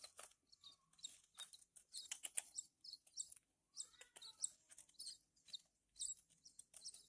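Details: Horsfield's bush lark chicks chirping as they are hand-fed, a near-continuous stream of shrill, scratchy high notes in uneven clusters, with a faint lower whistle underneath.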